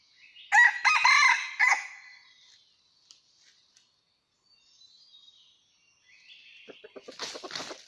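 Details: Wild red junglefowl rooster on a mountain, recorded during trapping on 17 March 2019, gives a loud harsh crow of several broken notes in the first two seconds, followed by a quiet gap and fainter rustling and distant calls.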